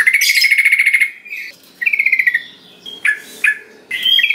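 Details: Yellow-vented bulbul prompting song: a strong level buzzing trill, then a falling rattly phrase, followed by two clipped chirps and a rising buzzy note.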